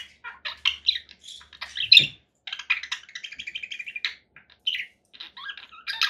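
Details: Choppy conure parakeet chatter, short scratchy notes and a fast rattling series of clipped squawks, with a few louder chirps scattered through.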